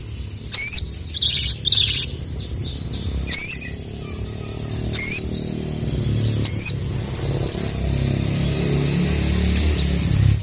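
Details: Calling sooty-headed bulbul challenging rival males: a series of sharp, sweeping notes at irregular intervals, some doubled, ending in a quick burst of four short high notes, over low rumbling noise.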